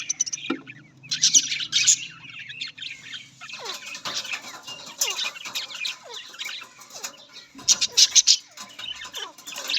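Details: Several budgies, Australian parrots, keep up continuous squeaky twittering with scattered sharp chirps, louder bursts near the start and end.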